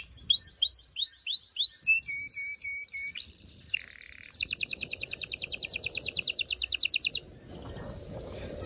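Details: Canary singing to excite females and males for mating. Arched whistles and clipped chips, a steady high tone, a low buzzy note, then a fast trill fading into background noise.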